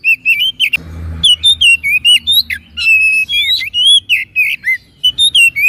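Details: Oriental magpie-robin in energetic 'masteran' song: a loud, rapid string of clear whistled notes, slurred up and down and varied phrase to phrase. There is a brief burst of noisy rustle near the start.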